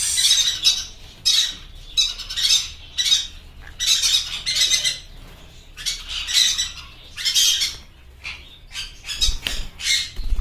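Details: Blue yellow sided conures giving loud harsh squawks in bursts of about a second, repeated with short gaps, some low thumping noise near the end.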